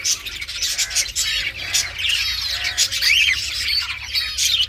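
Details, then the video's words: Green ringneck parrot, a talking pet, giving a steady stream of harsh squawks, chirps and a clear arched whistle near the end, with rapid scratchy bursts between notes. "So Much Talkative Green Ringneck Talking Parrot"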